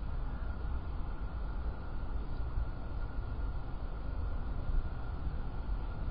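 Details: Continuous low road-traffic rumble and engine noise with no animal voice.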